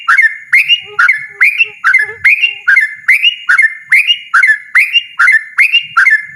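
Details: Loud, insistent 'ropel' song of a yellow-vented bulbul, liquid whistled phrases with a sharp upslur then bubbling warble, repeated steadily about every half second, faint low knocks in the background.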